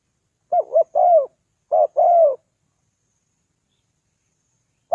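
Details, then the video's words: Spotted dove cooing to lure wild doves: two low paired coos, the second note of each longer and arched, then a long silence before another coo begins at the end. "Chim cu gáy chiêu kích mồi"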